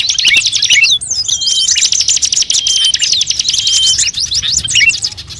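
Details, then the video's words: Mixed-species bird calls used to lure birds: a continuous, very high wall of rapid trills and chirps, with a few long thin whistles standing out above the chatter. "suara pikat semua burung"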